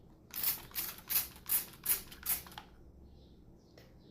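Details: Six sharp, hissy clicks about every 0.4 seconds, like tapping or a shutter, then near silence with one faint tick.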